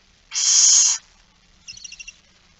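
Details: Barn owl begging at a feeding, 13 September 2019 at 06:57: one harsh, hissing screech lasting over half a second, followed by a short run of about six faint, high, tonal chirps.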